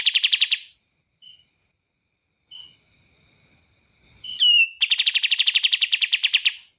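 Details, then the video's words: Bar-winged prinia song with pauses: a short burst of rapid, sharp repeated notes, then a brief whistled slur and a second, longer fast trill of evenly spaced chips lasting about two seconds. "MASTERAN BURUNG KAPAS TEMBAK"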